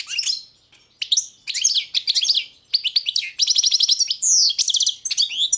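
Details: Balkan goldfinch (Carduelis carduelis balcanica), caged bird entered in the 2022 World Championship in Goldfinch Song, delivering a fast, continuous run of liquid twitters, rising slurs and rapid trilled notes, high-pitched and clean.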